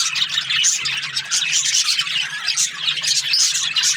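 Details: Budgies chattering in the morning: rapid overlapping chirps and grating squawks mixed with short pure whistled notes scattered through, from several birds, over a faint background hum.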